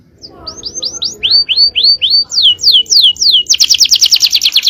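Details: Powerful cengkok-style canary song from a male bird, used as long-duration training song: a run of quick falling whistled notes, shifting higher, ending in a rapid buzzy trill.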